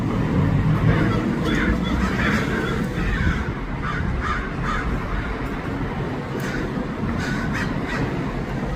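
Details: Crowd of crows in Los Angeles giving rough, grating caws in quick irregular bursts, several birds overlapping, against a constant low city rumble.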